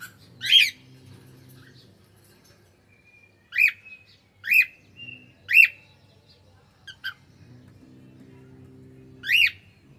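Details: Cockatiel kept as a pet sings in short bursts: sharp chirps spaced a second or so apart, linked by a thin level whistle, in an otherwise quiet room with faint low hum.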